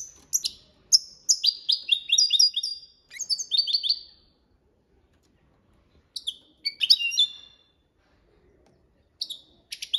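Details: Goldfinch performing copia Málaga training song: an opening run of crisp chips and buzzy, wavering trills. Quiet gaps follow, broken by two shorter twittering phrases and a final burst of high notes.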